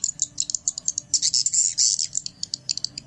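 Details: Lure sound for attracting swiftlets, heard as dense high-pitched twittering with rapid clicking chirps and a loud buzzy chatter in the middle, then sparser chirps again.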